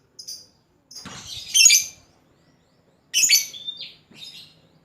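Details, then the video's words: Lovebird chattering to call a rival, kept as a hobby bird: two harsh, shrill bursts of squeaky notes about two seconds apart, with a short thin whistled note between. "suara burung lovebird pancingan lovebird ngekek panjang memanggil lawan"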